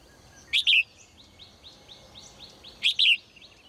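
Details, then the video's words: Morning song from a female cage bird: two loud double chirps a little over two seconds apart, while a softer, rapid series of short repeated notes runs faintly behind them. "นกตัวเมียร้องเจื้อยแจ้วในยามเช้า , เสียงนกร้องในกรง"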